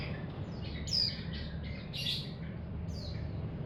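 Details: High, sharp chirps and quick slurred twitters from a young untrained mountain white-eye hobby bird, spaced irregularly about once a second against a low humming background.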